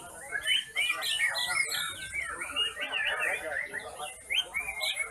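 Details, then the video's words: Several White-rumped shamas singing at a morning bird contest in Baruacak, Lembang, on 5 September 2021, a dense tangle of rich whistles, slurred rising notes and quick chattering phrases, with faint crowd murmur beneath. "KONTES BURUNG MURAI"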